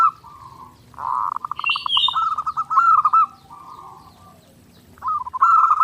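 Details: Zebra dove singing nonstop, a clear master recording for daily training: rapid staccato cooing notes form a pulsed trill around a steady mid pitch, broken by short pauses, with a brief higher note in the middle.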